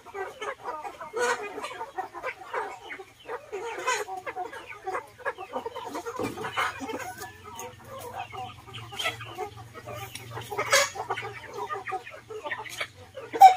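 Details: Chickens in a mixed flock with ducks, feeding in a garden: continuous soft, low clucking and scattered murmuring calls from many birds, with rustling and pecking, and a steady low hum starting midway.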